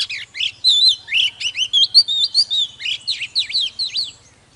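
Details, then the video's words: Oriental magpie-robin singing at full intensity: a rapid unbroken sequence of looping whistles and V-shaped slurred notes, roughly four or five per second, with a faint background hum. "Chòe than HÓT MÚA || KÍCH LỬA || Kích chòe than hót căng"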